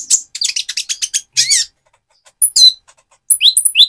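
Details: Speckled Van Hasselt's sunbird singing vigorously to provoke a rival: a rapid train of high chirps, a short harsh rasp, a pause, then thin whistles and swooping notes.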